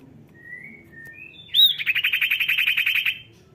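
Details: Lively common iora (cipow) song used to get reluctant birds singing: two thin whistled notes, then a sharp upslurred note that opens into a rapid trill of about fourteen bright repeated notes.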